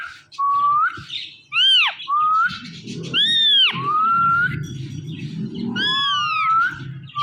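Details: Pet Indian ringneck parakeet mixing rising whistles with arched, meow-like mimicked notes over a low background rumble.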